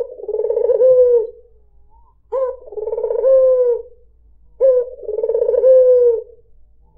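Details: Rolling lure coos of a puter putih, a white dove: three deep trilling phrases, each with a brief upward lead-in, spaced about two and a half seconds apart in a quiet setting.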